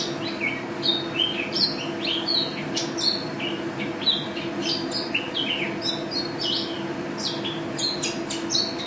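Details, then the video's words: White-eye described as a national champion singer, chattering vigorously: a lively stream of short high chirps and slurred twittering notes over a steady low mechanical hum. "Pleci Juara 1 Nasional pleci Gacor juara nasional teler gacor ropel"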